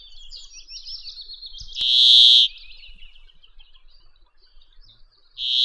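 A Brambling gives two loud, harsh nasal wheezes, each under a second, after a thin scratchy twitter; otherwise quiet.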